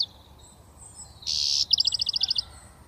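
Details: British goldfinch, a young bird just starting to whistle, gives a harsh buzzy burst followed by a fast run of about ten clipped twittering notes, over steady low background hum.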